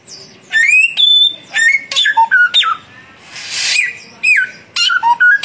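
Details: Young and mature samyong birds duelling in song: bright whistled notes, flat, rising and falling, in short clusters, broken midway by a soft hissing rush before the phrases resume.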